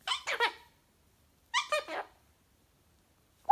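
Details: Pet Goffin's cockatoo making sounds with its owner indoors: two short clusters of squeaky, chattering notes about a second and a half apart, then a quiet gap before another sharp note at the end.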